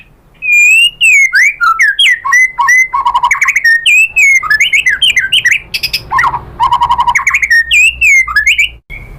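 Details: White-rumped shama singing so other shamas answer, a loud continuous run of rich looping whistles mixed with fast stuttering trills and mimicked phrases, briefly dropping to a rattling chatter midway.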